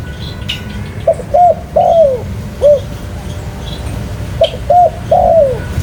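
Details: Spotted dove giving two cooing phrases: short coos, a long downward-sliding coo and a closing short coo, over low background hum.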